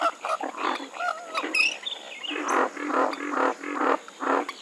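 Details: Harsh, rasping nasal honks from a Western swamphen, delivered in irregular bursts. A few thin, high whistled chirps from another bird sound near the start.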